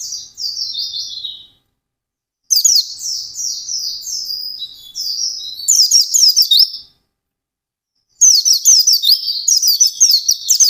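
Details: White-eye in intense, rapid song: several bursts of very high, jumbled twittering and quick slurred notes, each lasting a few seconds, separated by short silences; the final burst is loudest and busiest.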